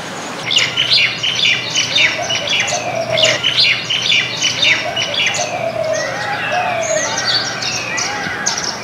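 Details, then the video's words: Flock of baya weavers gathered to eat grains in a backyard garden in India, giving loud, busy chirps and harsh squeaky chatters in bursts, overlapping calls with lower wheezy notes throughout. "Baya weaver bird sounds"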